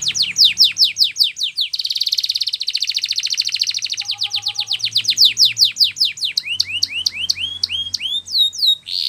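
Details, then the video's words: Spanish Timbrado canary song used for training: fast trills of downward-sweeping notes, then a dense buzzy rattle, a faint low whistle, and sharp upward-hooked notes near the end. "Canary's Most Powerful Song For Training"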